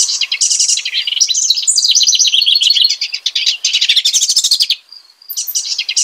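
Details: House wren singing a rich, bubbly, fast jumble of trills and chattering notes, nearly continuous for about five seconds, a short pause, then another burst begins.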